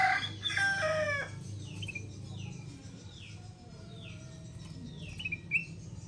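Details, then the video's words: Sooty-headed bulbul, a wild-caught bird now kept and tamed, singing almost every minute, used as a lure and tutor bird: a loud, short phrase of tonal notes in the first second, then faint repeated descending whistles from other birds over a steady low hum. "KUTILANG EMAS HASIL PIKATAN AKHIRNYA GACOR! Tiap Menit Bunyi"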